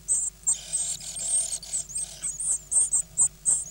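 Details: Great Tit brood of nine hungry nestlings begging while fed, recorded 24 May 2010 eight days after hatching: dense, shrill high-pitched squealing merging into continuous chatter, then breaking into separate sharp squeaks.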